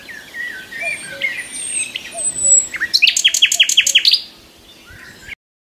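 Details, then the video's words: A nightingale in a tree at morning gives thin drawn-out whistles and chirps, followed by a crisp series of about eight quick, descending repeated notes before falling quiet. "Nightingale morning song"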